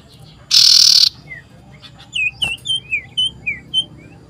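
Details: Common iora in loud, sustained song seeking a rival, 27 December 2022: after a brief harsh noise burst, a string of quick falling whistled notes follows at an uneven pace.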